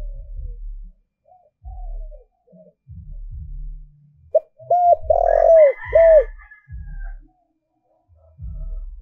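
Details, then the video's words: Lure spotted dove calling to draw wild doves: quiet scattered coos, then a loud phrase of short notes, arched coos, a rough coo and a final arched coo, with a brief higher bird sound and low thumps. "Cu Gáy Mồi Thúc/ Gáy Gọi Kích Bổi"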